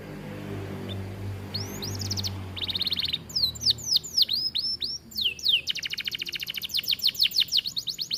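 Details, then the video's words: Aviary canary known locally as kenari, recorded as a song model for training: faint low hum at first, then a short buzzy trill, bursts of falling high whistles and a long quick trill of repeated notes. "Kenari gacor cocok untuk masteran"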